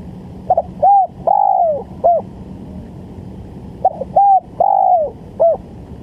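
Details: Spotted dove lure call for trapping, two evenly spaced phrases: a stuttered start, a clear coo, a drawn-out coo dropping at its end and a short last note, against a quiet humming background.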